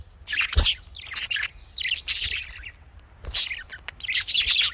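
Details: Budgerigar, called Australian parrot, kept for breeding, producing loud dense warbling: rapid scratchy high chirps in clustered phrases with brief pauses, plus a few low knocks.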